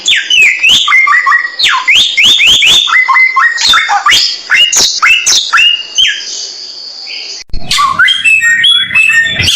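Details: Samyong bird singing for a clear tutoring recording: rapid, varied whistled slurs and chirps, densely packed, then a long steady high note and a shift to rougher, buzzier chatter near the end.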